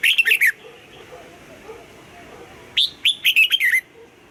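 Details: Bright, bubbly double-note morning song of a red-whiskered bulbul in the old-forest style. A quick run of whistles ends one phrase, and a second phrase follows about two seconds later with an upswept note and a tumbling series.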